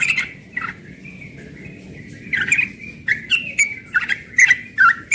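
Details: A young yellow-vented bulbul delivers ropel morning song: a steady whistled note held for over a second, then lively bubbling phrases chattering rapidly, with faint sharp clicks in between.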